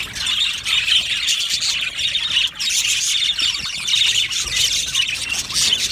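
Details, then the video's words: Australian budgerigar colony in an aviary producing a dense, harsh squawking and chirping chorus, with a brief quieter gap midway before the noisy chatter resumes. "Budgies birds chirping sounds"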